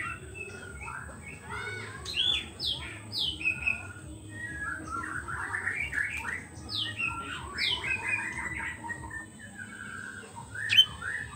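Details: White-rumped shama, used as a lure to draw in wild birds, singing a busy varied song of sharp downslurred whistles, chirps and quick note clusters, with a constant faint high tone and low hum behind.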